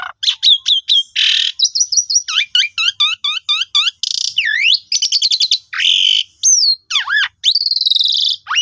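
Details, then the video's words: Asian pied starling song used as a lure to get silent birds singing: a rapid, varied run of sharp whistles, looping upswept notes, buzzy rasping bursts and a quick rising phrase, loud and clean with no background sounds. "Pancingan Jalak Suren Jitu Cocok Buat Burung Macet Pasti Gacor"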